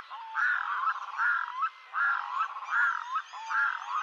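A red-throated loon gives harsh, croaking, goose-like notes in a steady series, about one every second, with a faint background hiss.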